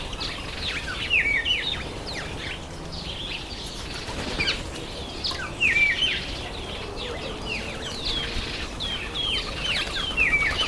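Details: Breeding-season masked weavers, September to October: continuous swizzling chatter with repeated clear whistled chirps about every few seconds rising over a bed of buzzy twittering from many birds.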